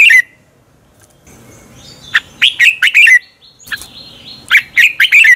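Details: Competitive morning song of a red-whiskered bulbul, a lure recording for training birds: short slurred note, a pause, then two quick runs of loud, liquid chirping phrases with a thin high whistle running between them.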